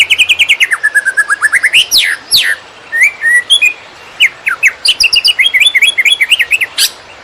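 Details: Greater green leafbird in the fast konslet song style, used to teach other birds: varied loud whistles, a descending run of short notes, then sweeping slurs and rapid chirped phrases with sharp high ticks above.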